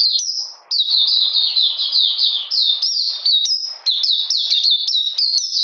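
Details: Oriental magpie-robin song on a cold, rainy 13 June 2020: loud, varied whistles, some held flat and others slurring down, strung into quick unbroken phrases with a short pause near the start.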